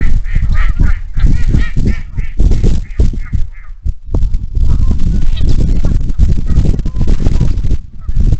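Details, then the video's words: Many geese and ducks on a marsh at Iroquois National Wildlife Refuge in the morning, picked up by a Bald Eagle nest camera: repeated nasal honks in overlapping bursts, most dense in the first three seconds, over a constant deep rumbling noise. "INWR-Morning sounds of the marsh geese and ducks"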